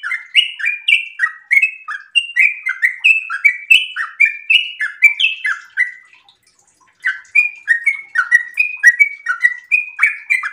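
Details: A sooty-headed bulbul in breeding condition sings a long 'ropel' song: rapid chains of liquid chirping notes, paused for about a second near the middle, then resuming with the same quick, alternating up-and-down pattern.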